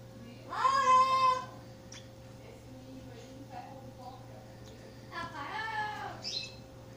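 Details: A young Campo troupial (Icterus jamacaii) being fed gives two harsh, rasping, wavering begging calls about four seconds apart, over a steady electrical hum and faint clicks.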